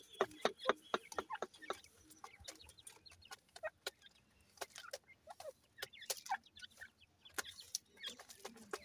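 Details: Grey partridge chicks at play give quick, sharp peeps and chips, about two a second at an uneven pace, with a few softer clucking notes mixed in.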